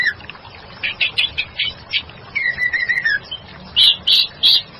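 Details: Female white-rumped shama, recorded as a lure and singing actively: rapid scratchy high chips in a loose run, a long downslurred whistle, then three loud harsh bursts near the end, with faint background hiss.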